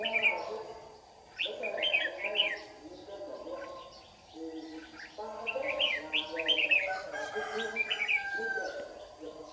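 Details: Red-whiskered bulbul with white cheeks, a lure bird in a morning trapping session in Đồng Nai, Vietnam, 26 June 2019, repeatedly delivers short jaunty whistled phrases in competitive song, several times over ten seconds, with a low layered hum beneath.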